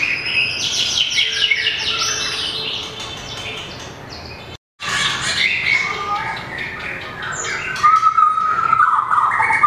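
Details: White-rumped shama in competition song, tail flicking as it hops between perches; rapid chattering notes and rich whistles, a brief silent gap midway, then bright rising whistled phrases and rough buzzy sounds.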